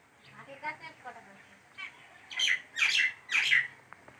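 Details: Bird chick being fed by its mother: harsh, buzzy squawks rising to three loud bursts near the end, preceded by softer, faint chattering notes.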